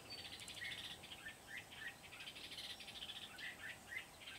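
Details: Decoy red-whiskered bulbul used to trap wild birds in Kim Bôi, Vietnam, 8 September 2019: rapid run of short warbling notes, with clear lower whistled chirps every half second or so, faint hiss throughout.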